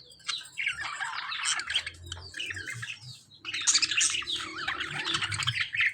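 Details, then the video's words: Lovebirds fighting with budgies: loud, harsh, shrill squawks and chattering chirps in dense overlapping bursts, a brief lull near the middle, then a louder burst of screechy calls. "Lovebirds fighting with budgies"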